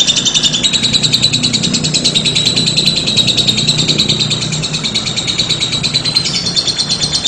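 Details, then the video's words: Lovebird song in the ngekek style, a continuous rapid shrill trill with a small upward shift near the end, over a noticeable low-pitched background murmur. "LOBET SEDANG NGEKEK PANJANG"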